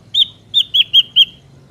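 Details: Ashy drongo, recorded in the wild and used to lure drongos for trapping, gives five clear, high whistled notes, each slightly falling, spaced about a fifth of a second apart, over a quiet background.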